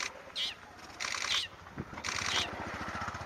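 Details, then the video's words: A long-tailed shrike gives three harsh, rasping, scolding notes about a second apart over a steady high insect-like hiss and low rumble in the Saswad Grasslands, Pune, India. "Long tailed shrike calling"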